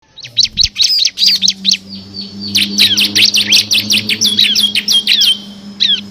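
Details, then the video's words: Bar-winged prinia in full ngebren song, a lively singer whose song is filled with six variations and used as a training master for competition birds: rapid bursts of high, sharp chirps and downslurred whistles, with a steady low hum underneath. "FULL NGEBREN‼️ CIBLEK KRISTAL GACOR ISIAN 6 VARIASI COCOK UNTUK MASTERAN BURUNG PRESTASI"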